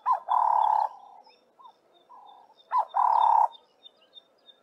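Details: Cape turtle dove, or ring-necked dove, calling. A clipped note leads into a harsh, burry coo, then quieter trailing notes, and the phrase is repeated once. A faint, high, ticking insect-like sound runs steadily in the background.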